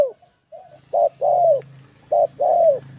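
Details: Bell-voiced spotted dove cooing to stir up rival males. After a brief gap, two doubled coos sound, each a short note followed by a drawn-out downward-sliding coo, with a constant low droning hum beneath.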